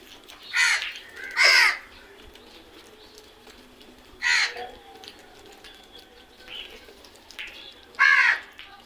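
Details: Crows giving loud, harsh caws: two calls close together near the start, another about four seconds in and a last one near the end, each a rasping burst with quieter background noise between.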